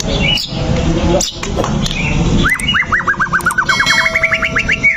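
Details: White-rumped shama (murai batu) song used as a lure to provoke a shama into fighting: after a noisy start, a fast run of about twenty sharp upslurred whistled notes repeats steadily over a constant low rumble.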